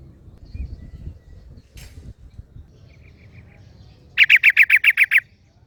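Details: ['Yellow-vented Bulbul in the wild, replied to by another bulbul: faint soft notes and rustling, then a loud, clear run of about eight rapid, evenly repeated chirps.']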